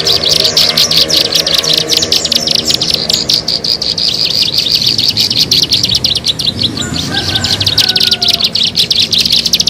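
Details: Bar-winged prinia calls meant for luring birds: rapid, piercing, high chips run on continuously, with softer chirps of other birds and a background insect hum.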